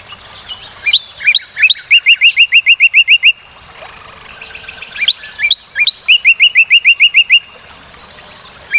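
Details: Northern cardinal song in two matching phrases. Each starts with rising sweeps, then runs into a fast, even string of about ten sharp repeated chirps. A quiet pause separates the phrases.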